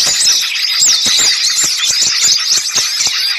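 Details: Lure sound of a noisy gathering of small birds: high squeaky twitters and upslurred whistles crowd together, over a pattern of crisp tapping chips roughly several per second.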